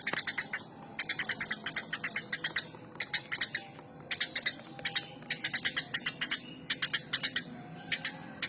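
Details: Lively Eurasian tree sparrow giving rapid, insistent bursts of sharp chirps, each run of notes broken by short pauses, continuing steadily throughout.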